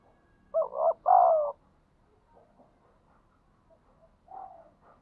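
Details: Spotted dove in the wild cooing 'thúc gù': one loud two-part phrase, a wavering note then a long mellow coo, followed by a faint, more distant coo over soft background noise.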